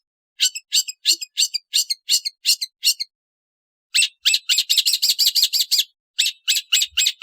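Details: Long-tailed shrike uttering a fast series of harsh, rasping chirps. After a short pause comes a denser chattering burst, then more scratchy notes. Nothing else is heard.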